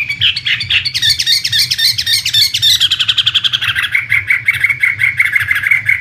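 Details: Singing Chinese hwamei, a prized imported contest bird: a burst of high, fast chattering notes gives way to a long, even run of rapid repeated notes on one pitch, with a low background hum.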